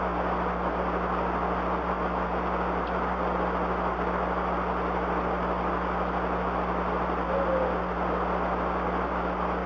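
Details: Steady engine-like hum with low droning tones and broad hiss throughout, no animal voice heard.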